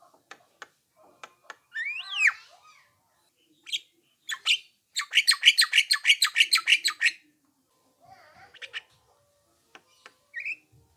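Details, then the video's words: Lure recording of a Javan myna in full voice for other mynas to answer: a few clicks and a wavering raspy call, then a long rapid burst of harsh chattering notes and a brief upslurred whistle. "apapun jalaknya jika diputarkan suara jalak kebo ini pasti langsung nyaut"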